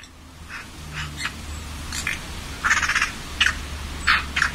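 Eurasian Coot giving short, sharp, explosive calls, about six in under five seconds at an uneven pace, over a low steady hum.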